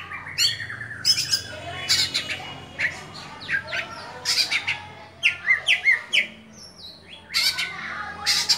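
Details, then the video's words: Caged oriental magpie-robin of the Dewa Air type singing in the open 'buka-bukaan' style: loud harsh, squawky bursts alternating with sharp chipping notes and short rising sweeps, delivered in clusters about every second, with faint low hum behind. "Kacer Dewa Air Buka Buka an"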